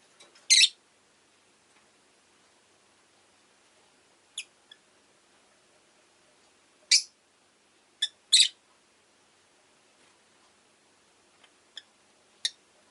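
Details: A pet rosy-faced lovebird (Agapornis roseicollis) gives about seven shrill, harsh chirps, single or in quick pairs, spaced several seconds apart, against a quiet background.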